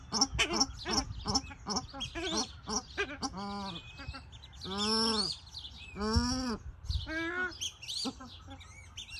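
Paradise shelducks give four drawn-out nasal honks, each about half a second, after a rapid run of short clipped notes. Higher chatter runs above them.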